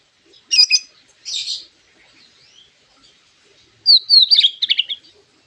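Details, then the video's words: White-rumped shama imitating a lovebird, a song used to provoke other birds into singing: two harsh squawky notes, a pause, then a fast rattling run of chirps and trills. "MURAI BATU ISIAN LOVE BIRD GACOR PEMANCING EMOSI"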